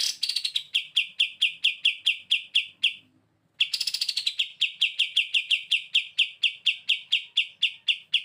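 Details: Pied triller singing actively as a master bird for song training: two bursts of sharp, high, downward-slurred notes repeated about four times a second, the first of about a dozen notes, then a short pause and a longer run.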